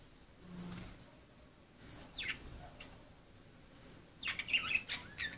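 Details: Budgerigars playing make a run of short, high chirps and whistles that ends in a denser scratchy warble. There is faint steady background noise.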